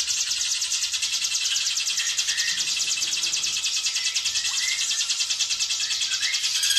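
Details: Hill prinia's ngebren speed rapat song, a masteran recording for training other birds: nearly seven seconds of unbroken, very rapid, high-pitched rattling trill, with a few soft lower slurred whistles woven in.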